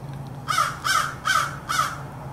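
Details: An American crow (Corvus brachyrhynchos) gives four harsh, hoarse caws in quick succession over a steady low hum, recorded 4 February 2024.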